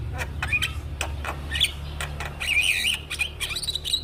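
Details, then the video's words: Tutor song of a champion black-winged starling for getting birds to sing quickly. Scattered harsh clicks and short whistles lead into a warbling, wavering whistled passage, with a constant low hum in the background. "Masteran Jalak Kebo bahan Cepat Gacor - Kicauan Jalak Kebo Juara"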